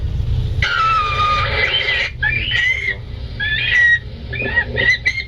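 A loon chick's distress call: thin, high, squeaky whistled peeps, some wavering, about one per second, over a low background hum.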